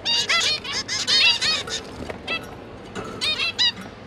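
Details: Parents busy feeding three juvenile zebra finches: loud, rapid chatter of nasal beeps running together at first, then separate honks every few tenths of a second.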